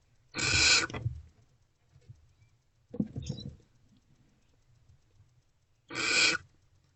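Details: Barn owls inside a nest box around 2:15 am on 28 February 2024, amid food deliveries; two separate harsh, breathy hisses several seconds apart, with soft scratching and shuffling movement heard in between.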